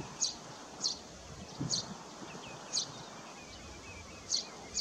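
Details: Eurasian tree sparrow (Passer montanus), a bird breeding in a nest box on a shed at Landje van Geijsel, 21 May 2022, gives short high chirps, about six in five seconds at uneven gaps, over steady background hiss.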